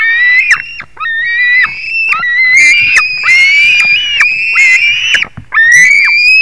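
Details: On 21 July 2019 at 22:10 a white-tailed eagle gives loud, near-continuous whistled squeals that rise then fall. Notes overlap and run into each other, with brief harsh rasping bursts in between.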